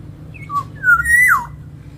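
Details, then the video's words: Black-naped oriole singing in an aviary, its song used as a lure to train other birds: a flute-like whistled phrase, short notes building to a loud rising then falling slur, over steady low background hum. "Suara kepodang gacor untuk pancingan"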